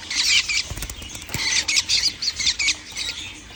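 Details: Baby lovebirds calling, recorded on 11 January 2025: dense, harsh, high-pitched raspy chatter in rapid bursts, with short pauses between clusters, and a couple of soft thumps.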